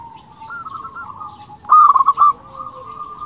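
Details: Local zebra dove singing to provoke rivals and stir them into song: a steady cooing tone near one pitch, broken by a loud burst of short rapid pulsed coo notes in the middle.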